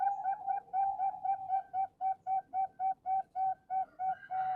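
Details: Male zebra dove kept at a Bantul breeding farm for Bangkok-line birds, delivering a fast, steady train of about fifteen clipped, ringing coos at one pitch, roughly three per second.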